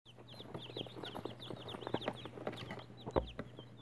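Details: Newly hatched chicks, hatched for Easter 2018, peeping together: many overlapping short, high, falling peeps in constant quick succession, with scattered soft clicks and knocks and a low steady hum underneath.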